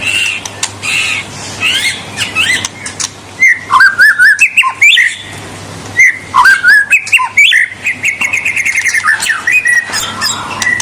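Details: Energetic white-rumped shama song meant to provoke rival birds: bursts of rich, varied whistles and slurred notes, then a rapid train of repeated sharp clicks and chips accelerating toward the end, over a faint electrical hum.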